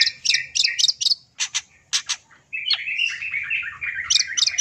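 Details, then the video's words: Long-tailed shrike singing, played as sound therapy for quiet birds; rapid chirping clusters, then a run of scratchy, warbling notes in a lower varied stretch, ending with sharp high chips again. "terapi suara CENDET Full Isian"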